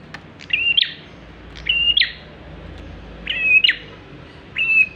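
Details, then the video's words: Song of a bar-winged prinia used as a lure for other birds: four evenly spaced high phrases about a second apart, each a level piercing whistle finished with an abrupt upward sweep. "prenjak klawu gacor cocok buat pancingan"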